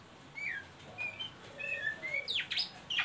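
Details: Softer ngeriwik sequence from an Oriental magpie-robin, used to get young birds singing: a string of brief clear whistled notes, then several loud harsh rasping bursts near the end.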